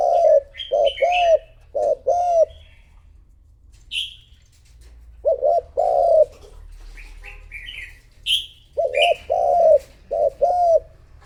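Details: Decoy spotted dove coaxed into cooing to attract rivals: three bursts of low, rounded coo notes separated by pauses, while smaller birds add sharp high chirps between them.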